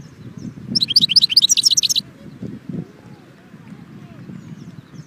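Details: European goldfinch singing one quick burst of high, rapid twittering notes lasting about a second, over a steady low rumble of background noise.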